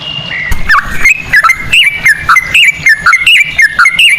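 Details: Sooty-headed bulbul ropel song in cucak rowo style, meant as a lure to make birds sing: clear whistled notes that rise and fall, spaced a little over one per second, over a faint background hum.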